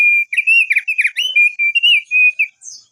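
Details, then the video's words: Crested darkeye singing for a lure recording aimed at long rolling song: a loud, continuous warbled whistle at steady pitch, broken into quick fluttering notes and short sustained tones for over two seconds, ending with a faint high twitter. "Pancingan Opior Jambul agar Cepat Bunyi Ngerol Panjang"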